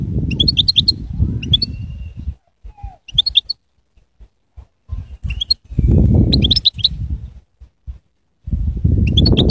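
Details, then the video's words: Singing goldfinch giving short phrases of high, sparkling twitters separated by gaps, partly overlaid by loud low rumbling noise. "Bestest Goldfinch singing"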